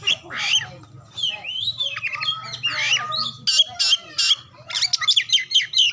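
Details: Oriental magpie-robin used to prompt other birds to sing, mixing harsh rasps, slurred whistles and crisp rapid chip series, with a faint low hum in the background.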